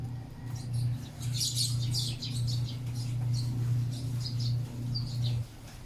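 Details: Sparrows while feeding: clusters of high, thin chirps and twitters come and go over a steady low mechanical hum that stops near the end.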